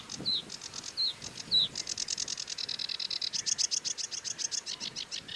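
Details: Sedge warbler singing: a few slurred whistled notes give way to a fast, dry, evenly pulsed rattling trill that speeds into a long churring run of clicks.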